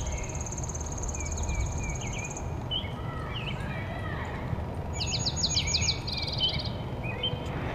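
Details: Male Dark-eyed Junco in the Kirtland area of Ohio during the June nesting season sings an atypical, Tennessee Warbler-like song of high, rapid, even trills about two seconds long, repeated three times, with other birds chirping and low wind or traffic rumble.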